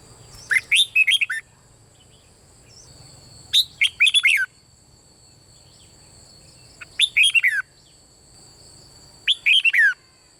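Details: Red-whiskered bulbul performing 'bernle' style song to urge other birds on: four lively whistled phrases roughly every three seconds, each a quick cluster of rising and falling notes ending on a lower slur.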